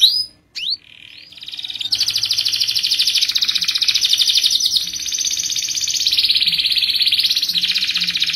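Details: Canary song with a long high roll that encourages other canaries to sing. A few short opening notes lead into a steady, very fast trill that lasts about six seconds.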